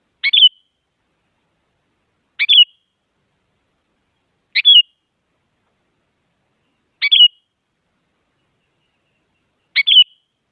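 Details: A sooty-headed bulbul (Pycnonotus aurigaster) calls with a short, bright, chirpy phrase about every two and a half seconds, five times, against a silent background.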